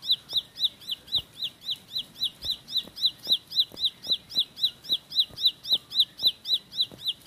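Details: Ciblek sawah, the bar-winged prinia, delivering a 'tembakan roll speed' song: an unbroken run of high, sharply upslurred chips at an even rapid pace, about four per second, with soft tapping clicks in the background.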